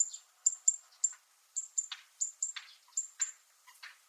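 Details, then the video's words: Sharp, high, metallic ticks from a zitting cisticola on Miyako Island, Japan, spaced a little unevenly. Lower, softer sweeping notes mix in partway through. "セッカの金属的な鳴き声 Fan-tailed Warble makes a metallic sound"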